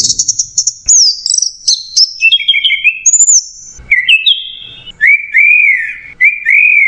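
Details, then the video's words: Clear, nonstop masteran song of an orange-headed thrush: a quick series of high whistled notes stepping lower, then rich, rounded, arching whistles at a lower pitch, given in slow succession. "MASTERAN ANIS MERAH MACET JERNIH"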